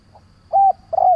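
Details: Decoy spotted dove luring other doves: a faint soft note, a level hollow coo, then the start of a second longer coo, cut off before it ends.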